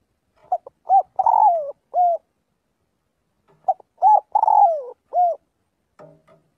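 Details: Spotted dove calls the flock in daily voice training, repeating the same phrase twice: quick introductory notes, a long falling coo, and a level final coo, in a quiet place.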